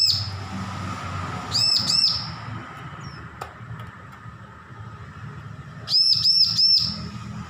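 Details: Recently weaned juvenile bar-winged prinia practising its song, giving short clusters of two to four sharp, high, arched chirps spaced several seconds apart against a faint low rumble.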